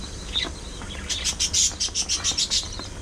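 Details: Pet budgerigars chirping amid playful squabbles and grooming: a quick series of sharp, high chirps repeated about every fifth of a second, led by one thin whistled note, over low background hum.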